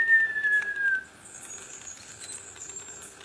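A single thin, slightly falling whistle lasts about a second, followed by faint high hiss and quiet background.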